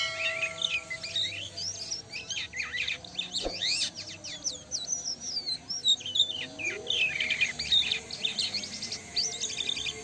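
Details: Black-winged starling (Jalak Kapas) singing vigorously: a dense, continuous run of varied high chirps, whistled slurs and rapid trills with no pauses, notes sweeping up and down over ten seconds, faint low hum underneath.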